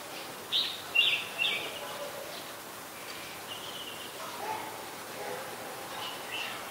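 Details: Red-whiskered bulbul, an adult, in Ubon Ratchathani, Thailand, 3 January 2021: three quick sharp chirped notes at the start, then only faint thin whistles and soft background noise for the rest.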